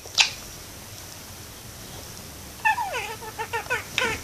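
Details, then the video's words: Pet parakeet hanging out in a window: a single sharp click, near-silence, then a short run of nasal, harmonic chattering notes with falling slides during the last second and a half. "Cute parakeet talks and sings"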